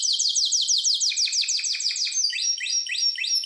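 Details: Harz Roller canary song for training, a rapid series of high descending notes repeated about three times a second, shifting to lower chirped phrases and rising whistled notes toward the end; clean, no background noise.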